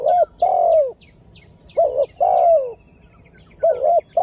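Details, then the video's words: Spotted dove used as a lure for wild birds; close, loud coos, a short note then a long descending one, repeated in phrases, with light chirps of other birds. "Tekukur Dengan Daya Panggil Yg Unik Bikin Burung Liar jadi Emosi"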